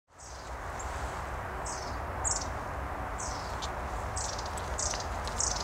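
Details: A group of long-tailed tits in leafless winter trees around the Sieglarer See near Bonn, Germany, giving thin, very high, brief calls every second or so over a constant low rumble of distant traffic.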